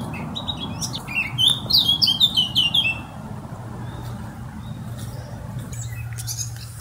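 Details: Brief outburst of song from a Eurasian blackcap (Sylvia atricapilla): about a second of quick, tumbling warbled notes, followed by quiet with only a low background hum.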